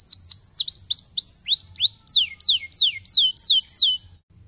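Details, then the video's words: Canary song used to stimulate lazy canaries to sing: a fast series of bright, whistled, downslurred notes, about three per second, each sweeping down from high pitch, strong and clear over a faint low hum. "estimulando o som de canários preguiçosos cantando"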